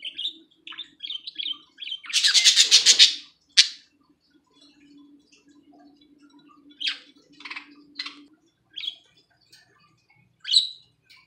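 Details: A pet budgerigar chatters in quick bright chirps with one loud harsh burst, over a faint steady hum, while trying to mate with another budgie in the bath as it eats greens.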